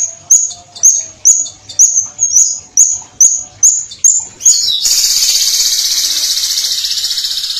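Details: Violet cuckoo, with about nine sharp, high upslurred whistled notes at a steady pace of roughly two per second. These lead straight into a long, fast, buzzy high trill, the close 'tembakan' shot.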